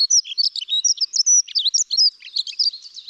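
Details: Dunnock song, typically given by a male from a perch top in breeding season and repeated over and over: a hurried, high, scratchy warble of rapid jangling notes running continuously for about three seconds, with no other sounds.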